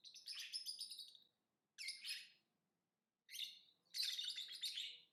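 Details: Lovebird singing: four strident, rasping chirp phrases, some over a second long and dropping slightly in pitch. A soft low background hum sits underneath.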